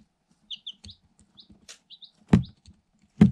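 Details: Light Sussex chicks only one day old, eight together in a cardboard box, caught on a GoPro Hero 7 Black: a string of brief high chirps, several paired, then two sharp loud thuds from pecking.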